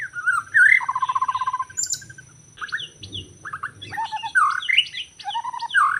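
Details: Forest white-rumped shama, recorded when trapping birds, Lombok: a whistle and even rapid rattle, a pause, then a varied sequence of rich swooping whistles and chatters through to the end.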